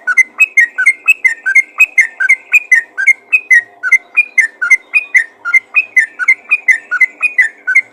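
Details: Calls of a sooty-headed bulbul summoning other bulbuls: a clear repeated series of short liquid whistles, dropping then rising, about three notes a second for eight seconds.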